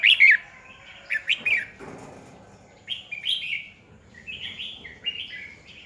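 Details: Caged red-whiskered bulbul used as a decoy singer for training other birds; loud slurred whistled phrases, a quick opening burst followed by spaced rising-falling notes after a brief lull.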